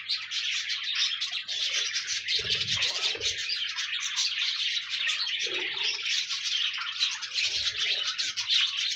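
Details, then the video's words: Several pet parakeets warbling nonstop in a dense, buzzy chorus of rapid chirps and twitters, with occasional low soft notes and a brief muffled knock, meant to keep a lonely budgie company. "No more lonely budgies. Pet parakeets encourage your bird to sing"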